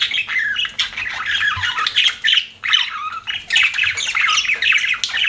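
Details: Chattering pet budgerigars: quick warbled phrases of squeaks and gurgling notes broken by short pauses, with a few sharper squawks between the runs.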